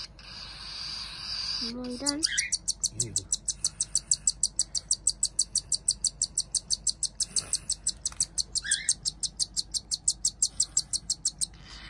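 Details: Hand-fed cockatiel chick, one of two siblings, giving a long, steady series of short, high peeping notes, about three each second, with a few lower rising squeaks early on.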